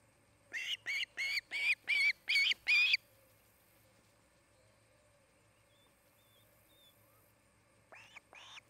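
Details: Osprey at its nest in Charlo, Montana, on an August afternoon: seven loud, evenly spaced whistled chirps rising slightly, then silence, and two fainter notes near the end.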